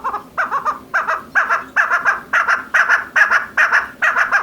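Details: Female chukar partridge giving rapid, rhythmic chuck-chuck phrases, roughly two or three each second. The bursts are loud and raspy, with slightly uneven spacing across the series.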